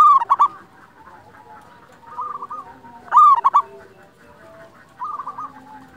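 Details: Local zebra dove song used as a lure and tutor to stir other doves: two loud bursts of rapid, stuttering, rolling coos about three seconds apart, with softer, distant cooing phrases from other doves between them.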